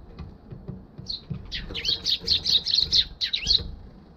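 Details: Eurasian tree sparrows flying in to a balcony, filmed with a GoPro HERO6 on 1 December 2021; a burst of sharp, bright chirps repeated rapidly in a chattering run, with faint low rumbling beneath.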